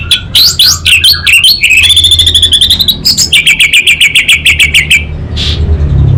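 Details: Loud, continuous song of an orange-headed thrush in North Bali, Singaraja: varied swooping whistles give way to long rapid series of clicking, rattling notes on one pitch, over a low background hum.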